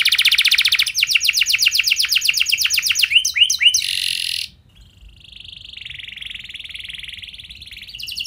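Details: Lure song of a canary, a rich, varied style with long runs, used to set other canaries singing. Opens with a buzzy trill, then quick repeated sweeping notes and a harsh burst, followed by a softer, steady rolling trill.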